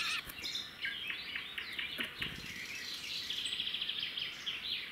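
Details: At a roadside red-backed shrike nest in the wild, the male delivers a grasshopper and the female feeds the chicks. Many short, high chirps come in quick succession, steady through five seconds with a clicking tap early on.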